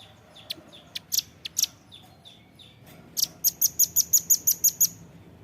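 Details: Velvet-fronted nuthatch recording made for training songbirds. Scattered thin high chips and short notes lead into a fast, even series of about nine piercing chit notes. The background is quiet.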